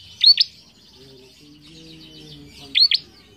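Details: Bar-winged prinia in full, lively song, used as a lure recording to stimulate and train other birds: two bursts of sharp, high double notes about two and a half seconds apart over a faint low hum.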